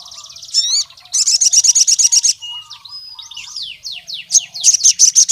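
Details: Wild crimson sunbird calling against a rival male: wavering high whistle, fast ringing trill, a jumble of slurred and downswept chips, then another quick high trill; soft lower whistles underneath.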